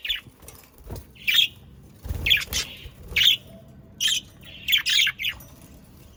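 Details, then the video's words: Budgerigars kept as pets near Den Haag, South Holland, Netherlands, give sharp high chirps and squawky notes about once a second, some doubled, over a soft rumbling background. "Sounds of Australian parakeets to stimulate your parakeets to sing"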